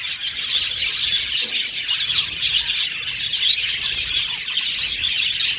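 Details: Budgerigar colony chatter in an aviary: many birds chirping and warbling at once, a busy shrill texture with brief louder squeaks.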